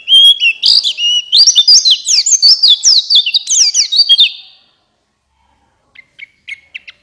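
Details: Lure song of a buxtoni white-eye, gacor ngalas style, meant to make lazy white-eyes sing: a fast, loud run of high warbled, slurred whistles for about four seconds, then quiet with a few soft chirps.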